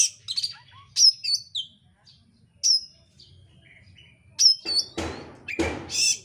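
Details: Oriental magpie-robin, a gacor bird whose song is used to provoke others to sing: bursts of high whistles, sharp chips and buzzy notes, with quiet stretches between phrases and a harsh rasping burst near the end.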